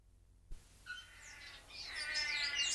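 Male bare-throated bellbird giving a ringing, metallic note, then a busy burst of overlapping high chirps that build in loudness, likely with other birds calling.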